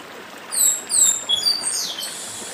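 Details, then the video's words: Papa-arroz from the Brazilian Northeast singing in the dedim style: a few high, thin descending whistled slurs in quick succession over the steady hiss of a stream. "Papa Arroz Dedim com Som de Riacho (Papa arroz do Nordeste)"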